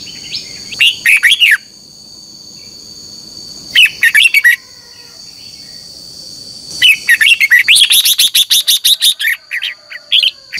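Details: Red-whiskered bulbul singing in morning contest style to stimulate captive birds: short warbled bursts, then a long rapid run of chirping notes, over a constant high-pitched tone.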